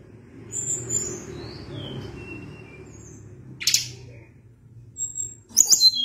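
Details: Sunda blue robin singing one falling chain of high, thin whistles, followed by a brief rasping note and a final burst of sharp high chips.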